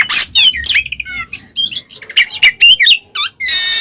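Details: Oriental magpie-robin in ngeplong style, used to trigger a silent bird: quick squawks, descending whistled notes and a rattling trill, closing on a loud harsh burst.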